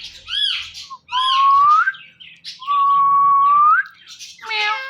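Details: Pet Indian ringneck parrots, a male and female pair, calling in the morning: short harmonic squawks, then long drawn-out whistled tones that swell and rise at the end, with a burst of chatter to close.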